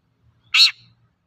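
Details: A single short, harsh, buzzing shriek from a long-tailed shrike in a recording meant to lure untrained shrikes into singing, against near silence.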